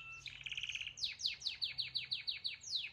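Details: Canary song opening with a fast, rattling trill, then a run of bright, sharp downward-swept whistles repeated about six times a second, clear over a faint low hum.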